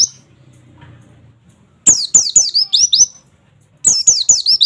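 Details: Training recording of an oriental white-eye singing 'nembak' wit wit wit: after a quiet start, two quick runs of sharp, high, falling notes, seven or eight chirps per run.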